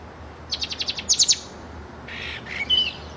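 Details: Pet bird, black and white with a silver beak, singing: a quick row of six high, sharp chirps, then three brighter louder notes, followed by a short buzzy burst and a thin whistled note near the end.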